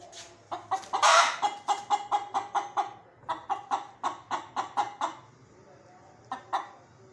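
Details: Chicken: long run of loud, rapid clucks with one harsher squawk near the start, a short break, another steady series, then two final clucks.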